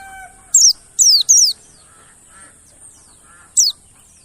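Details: Mountain white-eye lure song meant to prompt other white-eyes to sing, with high, steeply falling chirps in a trio of quick notes and a single later note, over soft background hum and faint lower calls.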